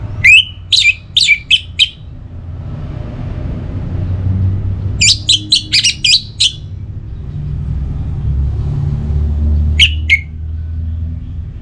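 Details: Orange-headed thrush, a kept songbird, singing pacing-style phrases: quick clusters of sharp, piercing whistles and chips in three separate bursts spaced a few seconds apart, with a constant low rumbling drone underneath.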